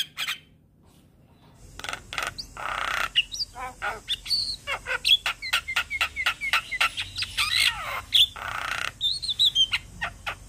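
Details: Black-winged starling in full song, head bobbing: after a brief quiet start, a long run of scratchy rasps, clicks and short sharp whistles comes in close succession over a faint background hiss.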